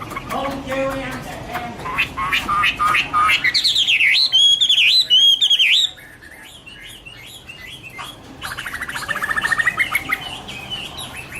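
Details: Chinese hwamei (Garrulax canorus) song: harsh chattering notes give way to a burst of loud looping whistles, then a quieter stretch before a fast rattling series of notes.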